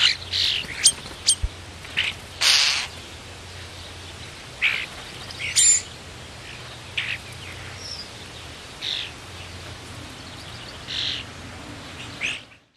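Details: Chatty blue jay taking a turn at a suet feeder, giving about a dozen short, harsh, buzzy calls, some paired, spaced irregularly; steady outdoor background hiss throughout.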